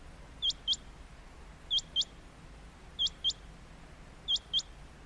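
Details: A male rain quail calls from a high perch in the rainy breeding season to attract a female, giving sharp, high, metallic double 'whit-whit' notes about every 1.3 seconds over faint hiss.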